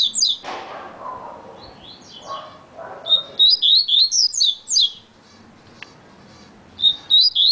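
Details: Very fast song of a yellow-bellied seedeater (coleiro baiano): a burst of sharp high chirps opens the clip, then a longer rapid run of twisting notes. A soft low rumble fills the gaps.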